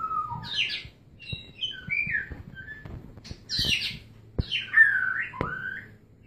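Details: White-rumped shama while mating, uttering short separate whistled notes and rasps with pauses between them and faint clicks.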